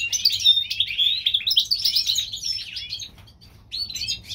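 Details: Spring song of a European goldfinch hybrid from California: a fast, jumbled twitter of high chirps and short slurred whistles. The notes run together for about three seconds, then a brief pause before more twittering.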